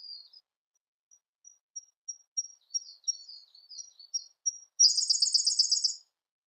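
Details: Siberian blue robin singing: a series of soft, evenly spaced high ticks builds for several seconds, then bursts into a loud, fast, buzzy rattling trill lasting about a second before stopping.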